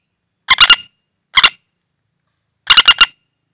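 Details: Wild common flameback caught by luring, calling in the hand with short, softer bursts of two to four harsh, clipped notes spaced about a second apart, otherwise silent.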